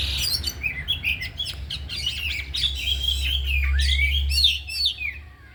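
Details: Four caged oriental magpie-robins trained in the afternoon, all singing their isian fill; varied chattering notes and a long swooping whistled run, backed by a low mechanical hum.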